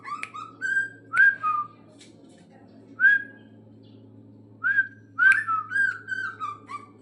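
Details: Bornean green leafbird, caged, being trained; it gives isolated downslurred whistles separated by pauses of one to two seconds, then a closer cluster of rising and falling whistled notes, over a steady low hum.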